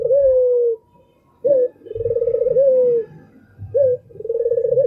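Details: Albino Barbary dove repeating a sharp short upward note and an extended rolling coo that trails downward, phrases about two seconds apart, with faint low noise.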